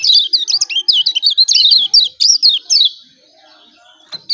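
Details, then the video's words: Lombok lemon-bellied white-eye calling "ciak ciak", a lure to get quiet birds to sing. A rapid, unbroken run of high, down-slurred chirps lasts about three seconds, then a pause and one final chirp. "CIAK CIAK JOSS KECIAL KUNING AMPUH||PANCINGAN KECIAL MALAS BUNYI"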